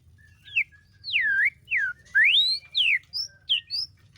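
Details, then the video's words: Captive white-rumped shama at a breeding facility during the breeding season, in breeding condition, sings loud, clear whistled phrases: sweeping slurs that rise and fall, separated by brief pauses. A low steady hum runs underneath. "KICAU MURAI BATU BIRAHI"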